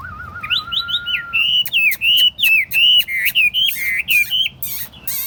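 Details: Tame caged Chinese hwamei set on a table, singing: a long level wavering whistle, then a fast run of loud slurred whistled phrases that rise and fall, with sharp clicking notes near the end.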